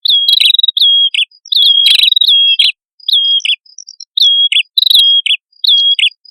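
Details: Male and female prinias singing energetically, used as a lure for flocking birds: a long flat high whistle ending in a quick downward-hooked flourish, repeated in bursts roughly every second with brief pauses between phrases.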